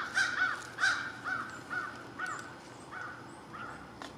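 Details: American crow calling around lunchtime, a run of about eight harsh caws, the first few loud and close together, then fading and spacing out toward the end, over quiet outdoor background noise.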